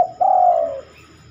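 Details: Spotted dove cooing at night, said to rarely sing after dark: a brief soft note, then a long, drawn-out coo that slowly falls in pitch, over a faint steady background hum.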